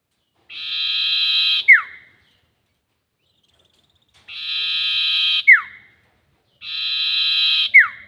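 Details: Three rasping, buzzy sirtu notes, each about a second long, end in a sharp downward whistled slur. They come at intervals of roughly two to three seconds, with silence between. The call serves as a lure for trapping birds.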